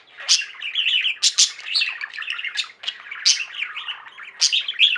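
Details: Several pet budgies singing together: steady twittering warble mixed with clicks, buzzy trills and loud sharp chirps repeated every second or so.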